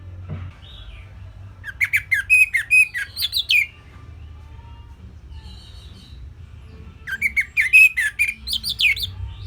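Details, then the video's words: An orange-headed thrush sings a simple song meant for other songbirds to copy: two bursts of rapid chirping slurs and rising whistles, about four seconds apart, with soft faint notes in the gap between them. "Kicauan Simpel ANIS MERAH Gampang Untuk Ditiru Sebagai Masteran"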